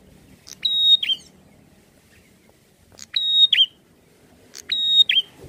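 A prinia gives three loud, high phrases about two seconds apart, each a quick chip and then a sustained piercing whistle that ends in a downward flick.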